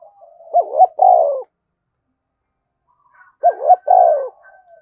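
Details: Spotted dove cooing hard in thúc bổi fashion to call wild doves. Two phrases about three seconds apart: a soft lead-in hum, a quick rising double note, then a long descending coo.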